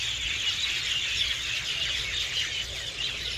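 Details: Hundreds of birds gathered in garden trees at nightfall, producing a constant high chatter of overlapping chirps and a few thin squeals, steady throughout, with low background hum.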